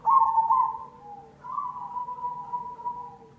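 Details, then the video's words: Cemani zebra dove lure song meant to trigger singing in other doves: a loud rolling coo, a short pause, then a longer, softer drawn-out trill that slowly fades. "Pancingan perkutut cemani"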